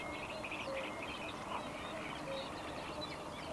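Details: Male Bluethroat singing in spring from a post close by, a fast, varied jumble of short chirps, trills and ringing notes with occasional lower whistles, over a steady background hiss.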